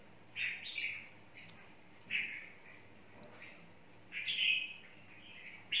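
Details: Caged red-whiskered bulbul of the mộc type, said to be eager to fight; sparse bright whistled phrases separated by quiet gaps, the loudest a rich slurred phrase near the end.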